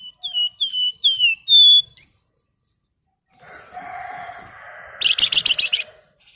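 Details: Flamboyan bird, described as a female calling a male: four clear whistled notes, each sliding sharply downward, then a pause with a soft hum, then a loud burst of rapid buzzy chattering notes.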